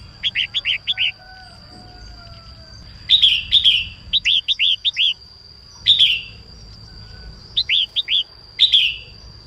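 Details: Singing female red-whiskered bulbul, morning song meant to stimulate males. It opens with a fast run of five bright notes, then gives rich slurred phrases and groups of three chirps, all high and clear, with a continuous thin tone audible throughout.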